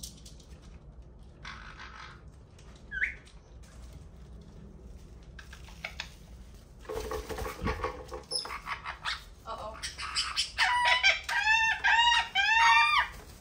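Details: Three-year-old pet African grey parrot, a talking bird kept indoors, first quiet with scattered clicks and brief voice-like sounds, then a loud run of harmonic, rising whistled calls repeated rapidly near the end.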